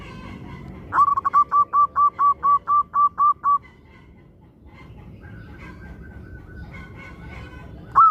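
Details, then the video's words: Local zebra dove singing actively, a recording used to prompt other zebra doves to start singing: a rapid string of about eleven clipped, mellow cooing notes at steady pitch, then a faint drawn-out tone over steady background hiss. "Perkutut Lokal Gacor AMPUH Untuk Pancingan Semua Burung Perkutut Agar Cepat Bunyi"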